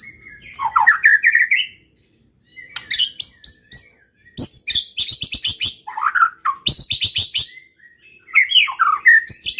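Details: White-rumped shama (murai batu) in full, energetic song used to provoke rival birds: rich slurred whistles alternating with bursts of rapid sharp clicking notes, separated by short silent pauses.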